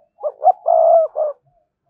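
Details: Spotted dove cooing to lure wild doves: two short rising hoots, a long steady low coo, then a final short coo, all mellow and low-pitched, in an otherwise quiet setting.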